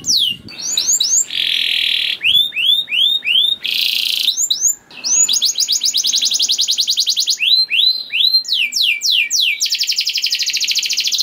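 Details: Canary in full song, used as a lure to make other canaries sing. Fast rapid trills and rolled tours alternate with series of bright, downslurred whistled notes. Several long buzzy trills are held for a second or more. There is no other noise.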